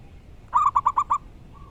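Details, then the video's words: Wild local zebra dove singing loudly: a quick burst of five clipped, ringing coo notes in under a second, ending on a faint, soft, drawn-out coo. "Burung perkutut lokal alam gacor dor suara keras & lantang"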